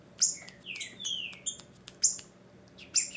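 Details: Female green-winged saltator (Saltator similis) soliciting mating in breeding season, meant to stimulate a male to sing: sharp, high chips and short descending whistled slurs in irregular bursts about once a second, over a faint low hum.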